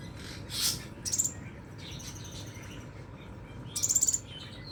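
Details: Scarlet minivet, song delivered in 'nembak' fashion: two short, high, glittering bursts of quick notes about three seconds apart, plus one fainter blurred note, over a constant low rumble.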